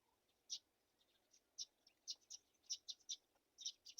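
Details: Black-shouldered kite nestlings at a mouse feeding make about a dozen shrill, squeaky chirps, loud and irregularly spaced, some in close doubles, with quiet stretches between bursts.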